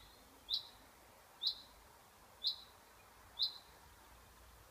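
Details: Single high, sharp chaffinch chirps sounding about once a second, five notes in an evenly spaced series over quiet ambient hiss.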